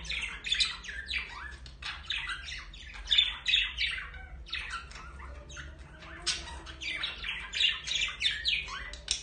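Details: Pair of budgerigars during mating and courtship display: continuous busy chattering warble of scratchy squawks and quick chirps, bursts rising and falling in loudness several times a second, with a low steady hum underneath.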